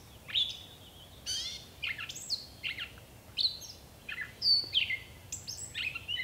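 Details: A gray catbird delivers a varied string of mewing slurs, raspy bursts and clear whistled notes in irregular succession, loud and close over a faint, steady outdoor hiss.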